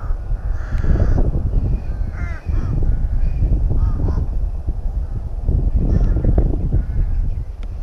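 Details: Harsh, drawn-out caws from rooks at a nest in their colony at Tyrnovo come in irregular bursts, some overlapping, against steady low-pitched rumbling noise.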